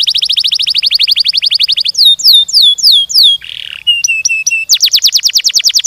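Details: Energetic canary in long rolling song: a quick pulsed trill, then loud downward-swooping whistles, a short harsh rasp, thin level notes and another fast trill of falling whistles.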